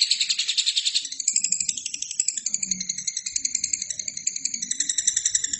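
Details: Lovebird song for training other birds: a busy, high rattling chatter of quick buzzy pulses, rolling on unbroken over faint low background noise.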